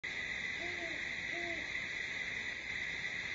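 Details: Great Horned Owl at Starr Ranch, about 2:20 AM on 27 September 2011, giving two soft, low hoots less than a second apart, over a steady high insect drone.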